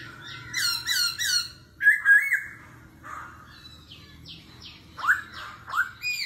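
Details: Laughingthrush in forest-voice contest singing, changing voice continuously ('kéo thuốc lào'): three rich harsh notes, a looping whistle, scattered descending chirps, then loud rising whistles, over a low background hum.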